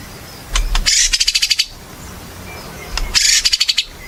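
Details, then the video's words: White-rumped shama singing (gacor) in a lure recording for shamas: two bursts of rapid high pulsed trills, each under a second long, separated by a quiet pause with faint distant chirps. "Murai Batu Gacor | AMPUH buat PANCINGAN Murai Batu Agar Bunyi"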